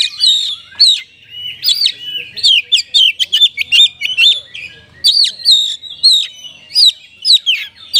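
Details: Oriental magpie-robin in constant, richly varied song used as a lure to make lazy magpie-robins sing: loud whistled upslurs and sharp clicks in short bursts, repeated throughout with brief pauses between phrases.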